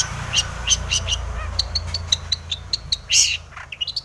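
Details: Long-tailed shrike song, used to goad other shrikes into answering. A quick series of short, sharp high notes repeats steadily, broken by one louder harsh squawk before the ticking notes resume, over a low background hum.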